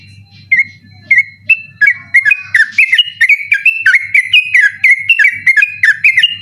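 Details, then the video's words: Sooty-headed bulbul singing persistently at night in the rapid 'ropel' style, recorded as a training recording for birds in night contests; clear whistled two- and three-note phrases, rising then dropping, repeated in a brisk run over a steady low hum. "burung trucukan ropel ngotot dimalam hari cocok buat masteran ropel malam"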